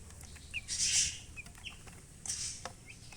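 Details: Baby chicks give a few brief, high downward-swept peeps, mixed with loud hissing rustles like feathers or bedding being scuffled.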